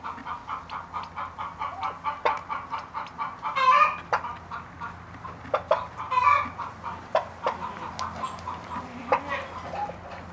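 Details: Ten-day-old turkey chicks peeping constantly: rapid, mid-pitched repeated peeps, several each second, overlapping from many birds. Occasional louder squeaky notes break through over a steady low hum.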